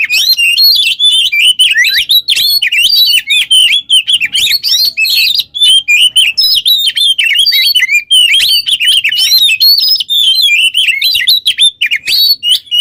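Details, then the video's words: Long unbroken Oriental magpie-robin song used to train other songbirds: rapid, rich stream of slurred whistles, chips and warbles, loud and steady throughout with barely any pauses. "GACOR burung KACER ngobra teler cocok buat pancingan MASTERAN"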